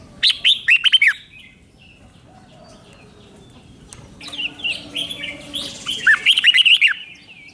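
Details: In Thailand a caged Red-whiskered Bulbul sings its five-syllable doubled song: a rapid whistled phrase of six notes, then a pause. Softer chirping builds into a second loud, warbled phrase near the end.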